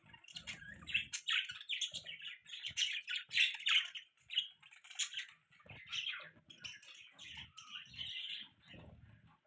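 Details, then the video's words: Pet budgie chirping: a dense run of short, scratchy warbled notes and squawks, busy and uneven with brief pauses, a low rumble beneath in places. "Beautiful budgie chirping sound, budgies chirping sounds, budgie beautiful voice"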